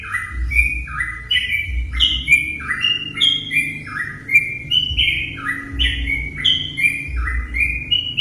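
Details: A sooty-headed bulbul's lure song for drawing other bulbuls to sing: loud, even chain of clear whistled notes jumping between higher and lower pitches, steady throughout, over faint low thumping noise.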